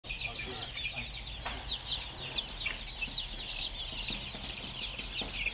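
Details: Caged chicks at play on a farm, a dense, unbroken chorus of shrill high peeps overlapping continuously, with a steady low hum underneath.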